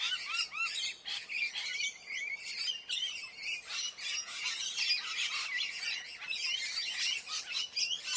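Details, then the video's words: A flock of parrots making mating sounds, chattering non-stop in a dense overlap of high, squeaky chirps and short warbled notes, with no pauses. "parrots | matting sounds| mating"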